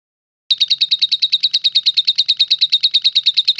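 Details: Lovebird in long continuous ngekek trilling song: after half a second of silence, a rapid, very regular chain of high, buzzy chattering notes, about eight per second, runs without a break to the end.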